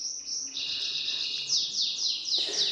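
A pipit gives thin, high, sibilant notes, first drawn out, then short falling slurs repeated about every half second.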